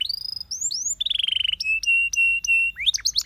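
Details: Canary training song. Rising whistled notes lead into a quick trill, then long level whistled tones held about half a second each, ending in steep rising chirps.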